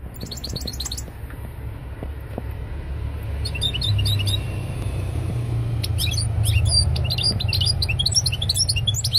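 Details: European goldfinch singing: bursts of bright, rapid, high twittering chirps and tinkling trills, starting and stopping, then denser toward the end, over a steady low rumble of background noise.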